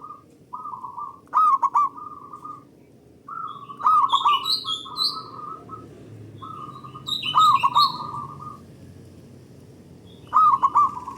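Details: Local Indonesian zebra dove, loud and long-voiced, singing to stimulate other doves: four rolling coo phrases about three seconds apart, each with a bubbling stuttered burst amid steady trilled notes. Occasional high chirps from other birds.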